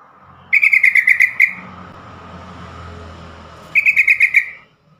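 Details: Two rapid bursts of bright, chattering chirps from a yellow-vented bulbul, about eight notes each and three seconds apart, with a low hum between them. The call is used to stir caged bulbuls into singing.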